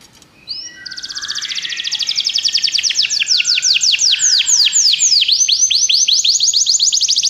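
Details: Canary singing to stimulate a pet canary: soft opening notes, then a long accelerating trill of high repeated notes that turns into loud downward-curving slurs, repeated quickly and evenly.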